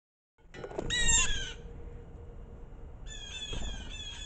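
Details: Blue jays scolding in the snow during a winter storm: a harsh, rasping call with stacked bands near one second, then a second burst of repeated harsh notes near three seconds, over low wind rumble.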